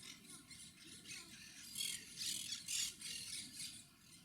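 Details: Rapid harsh chattering from Monk Parakeets, also known as Quaker Parrots: shrill squawks that build to loud bursts midway, then fade, recorded on a Panasonic HC-WXF990 camcorder.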